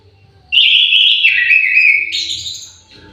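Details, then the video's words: Aviary orange-headed thrush delivering a sustained, sweet whistled song phrase that starts high, dips lower midway, then jumps to a brighter, higher tail before falling silent. A faint low hum sits underneath. "KICAU MERDU BURUNG ANIS MERAH"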